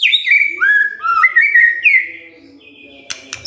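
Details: Provoked white-rumped shama gives rich fluty whistles that dip and rise, ending in a thin high note and a few clicks.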